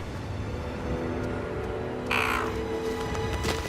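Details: Common murre (guillemot) parent at dusk on a cliff ledge calling desperately to urge its chick to jump: a single harsh, growling call about half a second long, rough and drawn out, over orchestral music.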